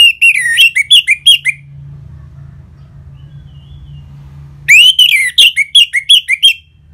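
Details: Ngeplong song of an orange-headed thrush, played to get caged birds singing: two bursts of rich, rapid whistled notes, each about eight to ten notes with varied slurs, separated by a pause of about three seconds.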